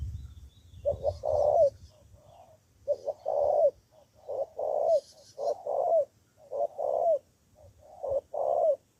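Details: A spotted dove decoy from Cà Mau, Vietnam, responds to rivals with about seven rapid cooing phrases in close succession, each short pickup notes leading into a throaty falling coo; low rumble at the start, faint high hiss throughout.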